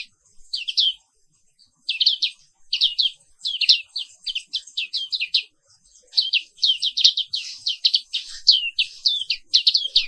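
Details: Black-capped white-eye, found only in Indonesia, with sustained morning song: long bursts of high, fast, descending chirps repeated in lively runs, briefly pausing around one second and five seconds.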